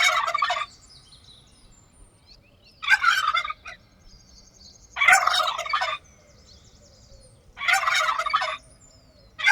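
A turkey gobbles in loud, rattling bursts of under a second each, repeated about every two to three seconds, with near silence between them.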